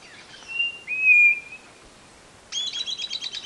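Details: White-bellied nothura song played to lure birds into a trap box: a long, steady, high whistle held nearly a second, followed after a pause by a rapid, buzzy, stuttering run of higher notes.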